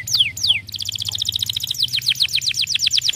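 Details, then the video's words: Canary of the 'pocong losdol' type: two falling whistles, then a rapid, dense trill of short high notes breaking into quick downward sweeps, over a low background hum. "KENARI POCONG LOSDOL GACOR PEDAS SUARANYA"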